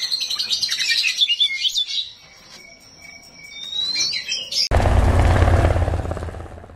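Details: Small 'rawit' oriental magpie-robin singing rough fills to make other magpie-robins reply: quick scratchy warbling, then two long level whistles and rising squeaks, cut off after nearly five seconds by a loud burst of broad rushing noise.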